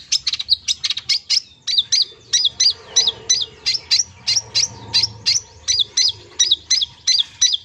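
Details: Long-tailed shrike delivering full filler song, used as therapy to make mute or sluggish shrikes sing: a quick opening burst, then evenly paced, loud, slurred whistled notes about one and a half per second.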